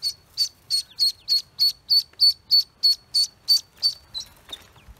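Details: Pekin duckling, newly hatched on a farm, peeping in a very regular rhythm, about three high, piercing notes per second, which fade out near the end.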